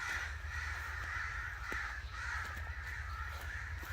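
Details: Angry crow cawing in loud, rasping bursts about every half second, one after another without pause, with a deep background rumble.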